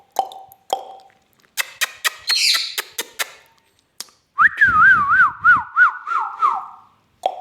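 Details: Parrot vocalising at home; quick clicks and snaps, then a long trilling whistle that warbles rapidly up and down before sliding lower, ending with a brief squeak.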